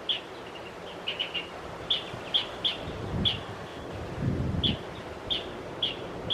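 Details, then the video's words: Asian brown flycatcher chirping from trees and moving between them in Metropolitan Park, Taichung City, on 28 December 2021, filmed on a compact camera: short, high, thin chips, single or paired, scattered irregularly over steady background rumble and rustling. "Asian Brown Flycatcher chirping in tree and weaving between trees."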